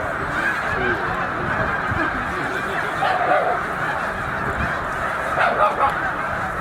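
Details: Snow geese, a migrating flock of roughly 100,000 resting at Middle Creek wildlife refuge on their northward journey to breeding grounds, fill the air with a steady wall of honking, a few nearer nasal calls standing out above the din.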